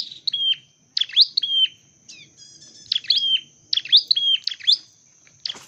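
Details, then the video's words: Dark-necked tailorbird in a training and trapping setting: bright, piercing chirps with a held whistled note between clusters, delivered in short bursts with gaps, plus a faint steady high tone and low murmur. "chim sâu đầu đỏ"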